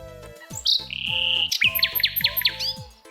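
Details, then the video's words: A common nightingale sings a long, pure whistle, then a run of quick, bright repeated notes, over soft background music. "Чи сподобалось вам як співає Соловей А як співав Соловей так мелодійно гарно"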